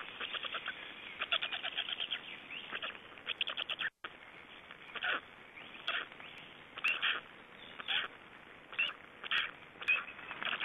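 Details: Feeding time at an Estonian Black stork nest on 26 May 2012, with a parent changeover. Rasping, clicking bursts come in uneven clusters, some fast and rattling, others spaced about half a second apart. There is a brief dropout near four seconds.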